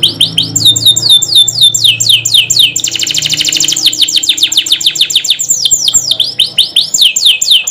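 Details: Canary in gacor ngerol nembak style as a pancingan lure song: rapid rising-and-falling chirps about four per second, a steady buzzing rolled trill in the middle, then quick sharp downslurred notes to the end.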